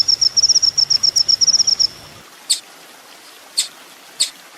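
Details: Sunbird, called kolibri ninja, on a master recording for training songbirds: a thin, high, rapid trill for about two seconds, then three short separate high chips.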